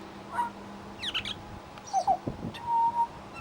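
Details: Mimicking pied butcherbird at a bird sanctuary: a burst of harsh scratchy notes, short dipping whistles, then a long level whistle, over a steady background hum.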